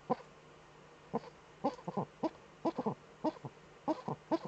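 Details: Eurasian eagle-owl cackling in its nest niche, captured by a webcam on 28 February 2013: short, hoarse, low cackling notes in quick groups of two to four, with brief pauses between bursts, over a faint steady hum.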